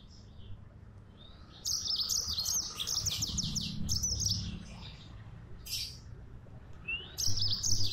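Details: Yellow-fronted canary in full song, delivering a sustained high phrase of rapid repeated trilled notes, then short chirps and a rising final flourish, over low background rumble.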